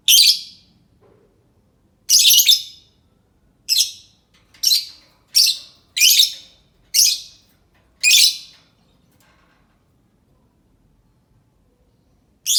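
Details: A lovebird gives a series of sharp, harsh screeching chirps, about nine short bursts in quick irregular succession, then a pause and one more, played as a lure so other lovebirds call back.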